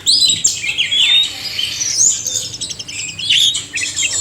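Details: Singing oriental magpie-robins, male and female together, recorded to coax lazy caged birds into song; bright high whistles and falling slurs open the phrase, then buzzy chatter and thin rising notes follow.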